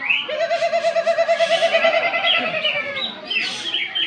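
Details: Contest greater green leafbird, runner-up in the cucak ijo class at an Independence Day bird festival in Malinau Utara, North Kalimantan, Indonesia, delivering a fast, even trill of repeated whistled notes that breaks into higher chattering phrases, with a noisy crowd around.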